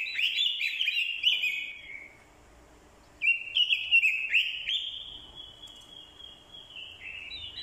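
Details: Orange-headed thrush used as a decoy, singing a fighting song with a female's calls provoking a male; a two-second burst of tumbling warbles, a pause, then more phrases ending in a long, level, sustained whistle.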